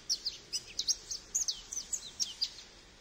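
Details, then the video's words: Rapid string of high, sparkling chirps and short slurred whistles from a Goldfinch, evenly spaced about four or five notes per second for three seconds. "Goldfinch Bird Sounds"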